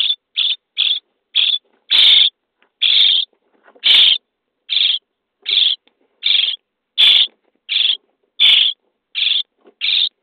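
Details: Nest-box starling chicks on day 23 during a feeding: spaced, scratchy, hissing begging notes about every 0.6 to 0.8 seconds, with several louder, fuller rasps.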